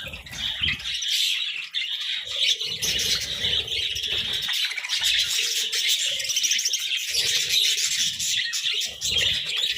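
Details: A group of caged budgerigars eating vegetables keeps up steady chirping, a busy stream of shrill twittering notes and occasional harsher squawks, layered over soft low rustles and knocks.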